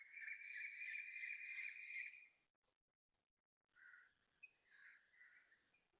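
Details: Early-morning Asian koel, 6.55am, 30 January 2026, at a residential block in Toa Payoh, Singapore; a loud, fast run of shrill notes for two seconds, a pause, then softer scattered whistled calls.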